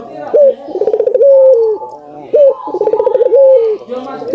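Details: Barbary dove, albino, singing to stimulate other doves: two full phrases, each a sharp rising note, a pulsed trill and a long sliding-down coo, repeated roughly every two seconds.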